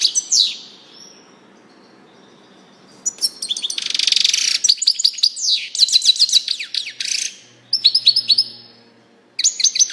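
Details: European goldfinch: a downslurred note, a long quiet gap, then a lively stretch of fast twittering with a buzzy rasping burst, liquid slurred phrases and a final flurry of chirps.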